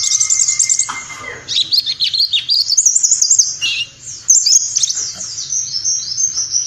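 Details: Warbling white-eye 'nembak' tutor song, meant to be played in the morning during the dew: dense, high, rapid chattering twitters with quick rising and falling notes, opening over a steady thin whistled tone.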